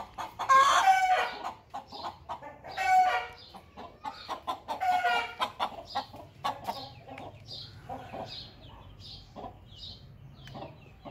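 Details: Hen cackling after laying an egg: loud, drawn squawks at roughly two-second gaps, followed by a fading series of quieter clucks.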